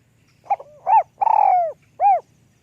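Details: Spotted dove singing with a small, high voice in the lûk kòk style: a short coo, a bowed hooting note, an extended burred coo dropping in pitch, and a closing round coo. A low murmur sits in the background.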